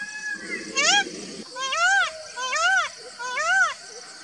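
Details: Indian peafowl calling: four loud, wailing, arched calls spaced under a second apart, each climbing then dropping, with a high insect drone behind.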